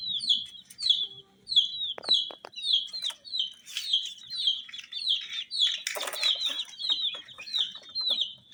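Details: Colour-dyed chicks peeping steadily, high downward-sliding cheeps nearly twice a second, interrupted by a brief burst of rustling noise.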